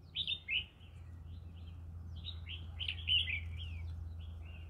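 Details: In a rice field, a green-cheeked conure gives loud rasping chirps at the opening, then a run of sliding, slurred notes, with constant low hum and faint chatter underneath.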